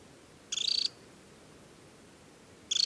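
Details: An adult Temminck's stint (Calidris temminckii) in summer plumage, at Tinnhølen lake on Norway's Hardangervidda mountain plateau in early July, gives short, high, rapid dry trills, each under half a second, with a quiet background.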